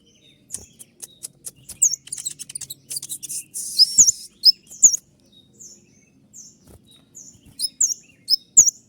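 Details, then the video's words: Olive-backed sunbird (kolibri ninja) song: scattered sharp ticks and a hissing burst, followed by thin, high, down-slurred chirps spaced about half a second apart. "masteran kolibri ninja dengan full suara tembakan"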